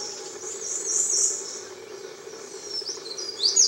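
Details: Mosuke wren at Tairo-ike pond, Miyake Island, Japan, 22 May 2011: high thin warbled phrases open the passage, a quieter gap follows, and a bright, sharp trill rises again at the close over faint background hum.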